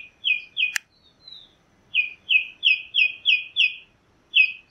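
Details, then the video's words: Chalk-browed mockingbird singing a series of six clear, downward-sliding whistled notes in quick, even succession, after a few similar notes and a sharp click near the start. "Calandria Grande Canto - Calandria Grande - Chalk-browed Mockingbird Bird Song - Mimus Saturninus"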